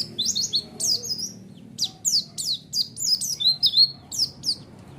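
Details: White-eye song used as a lure to draw a response: bursts of high, sharply falling chirps and short twittering phrases in quick clusters, separated by brief pauses, with faint low background hum.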